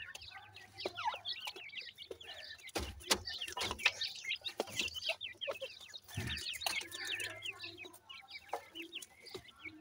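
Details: A group of teetar (francolin) chicks keeps up a busy chorus of high, thin, slurred peeps, some notes dropping quickly. Louder thumps and handling noises break in now and then.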